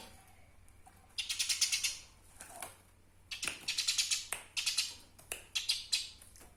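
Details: Eurasian tree sparrow master recording for bird training: long runs of fast, scratchy chattering chirps in bursts, pausing briefly between runs, with a low steady hum underneath.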